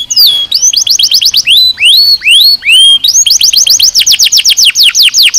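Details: Training song of a canary in the nozes style: a falling whistle, rapid repeated downslurred notes, a few slower rising whistles, then another fast series of falling notes.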